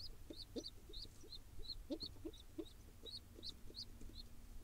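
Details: Wild pigeon nestling in Israel begging while its father feeds it: rapid, rising high squeaks repeated about three times a second, with lower soft pulsing notes beneath and steady low background rumble.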